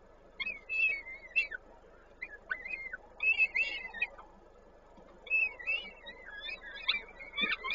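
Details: At a peregrine falcon nest in Koszalin, Poland, on 19 May 2022, while feeding takes place, high whistled slurred calls come in irregular bursts roughly every two seconds, with quiet gaps and low background hum.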